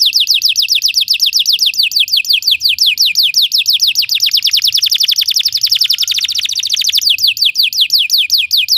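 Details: Singing Belgian canary meant to teach other canaries: a long run of quick downward-sweeping notes that speeds into a dense rattle midway, then slows back into clear repeated downslurs, loud and continuous.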